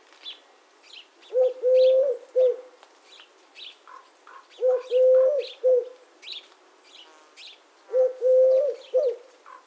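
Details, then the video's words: A Eurasian collared dove (Streptopelia decaocto) gives its three-note coo, short-long-short, three times about every three and a half seconds, over high chirps from small birds. "The sound of the Collared Dove"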